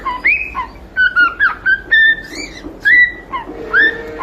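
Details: Loud, clear whistled phrases by a cockatiel, with swooping rising notes and held tones repeated about once a second, and a quieter lower tone near the end.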